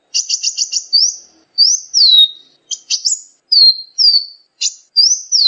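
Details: Sunbird song for tutoring cage birds: a fast stuttered burst of five high notes, then curved whistled sweeps falling in pitch, with short bright notes between.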